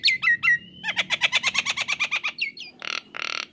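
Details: Nias hill myna in full voice on a songbird training recording: three clear falling whistles, a fast ringing trill of about a dozen repeated notes, two slurred whistles, and two loud harsh rasping calls.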